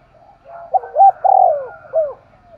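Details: Spotted dove used as a decoy, giving a single thúc gù phrase in a sharp voice: soft lead-in, two clipped notes, a swelling falling coo and a closing hooked note.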